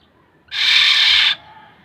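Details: One drawn-out rasping, nasal screech from a black-naped oriole, known as kilyawan, lasting under a second in otherwise quiet surroundings.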